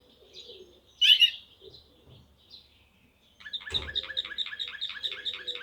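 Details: Serbian blue canary of the Slavujar singing style, a few soft scattered notes and one loud buzzy chirp, then a fast rhythmic trill of repeated bright whistled notes about five per second.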